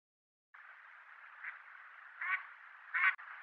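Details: Mallard (Anas platyrhynchos) in the breeding season in Japan (Nikko and elsewhere), giving three short, nasal quacks about a second apart, rising slightly in loudness, over a steady rushing background like flowing water.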